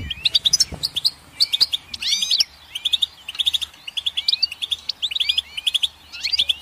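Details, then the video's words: Goldfinch song played to a pet bird, a rapid, tinkling stream of high twitters and chirps in quick bursts, broken by short buzzy trills and brief pauses, with a faint low hum behind. "Goldfinch Song"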